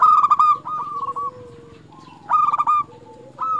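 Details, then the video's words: Zebra dove, local type, singing as a lure for other zebra doves; two bursts of fast, clipped cooing notes separated by a long low drawn-out tone, over a steady low background hum. "Perkutut Lokal Gacor Paling Ampuh Untuk Pancingan Burung Perkutut Agar Bunyi"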